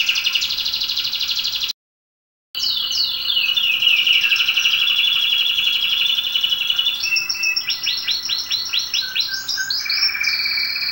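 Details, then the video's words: Domestic canary song, used for teaching and warming up canaries: high, bright sustained rolling trills with sliding notes, a brief silent gap, then rapid chopped tour notes and whistled phrases near the end. "canto do canário do reino ,para ensinar canário."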